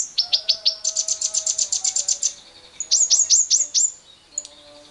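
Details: Long 'ngekek' chattering of a lovebird, played to stir other lovebirds: a fast train of piercing high notes for two seconds, then a slower run of sweeping chips, with a faint steady low tone underneath.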